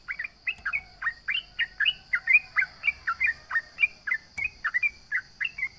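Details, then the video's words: Sooty-headed bulbul singing boldly to mock a rival: crisp, evenly spaced chirped notes, each a quick down-up flick, repeated about three and a half times per second, with a steady shrill background hum. "SUARA trucukan gacor MENGEJEK LAWAN"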